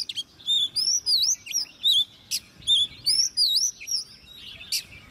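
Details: Competition song of a caged, hand-reared Oriental magpie-robin aged ten months. A rich, fast string of loud, pure whistles loops up and down with rapid slurred sweeps, broken by a few short clicks.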